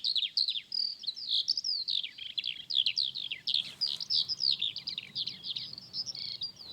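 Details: A Eurasian skylark that has just gone up, on a clear, sunny spring morning after Easter on a quiet country road near Sutton Cheney, pours out a high, unbroken stream of rapid chirps, trills and twittering over a faint low wind rumble.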